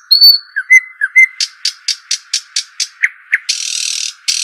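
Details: Shuhaim, also called dakhl bird: thin high whistles and short slurred notes, then a fast run of evenly spaced buzzy clicks, two lower chirps and a long harsh buzzing burst, over a steady low hum.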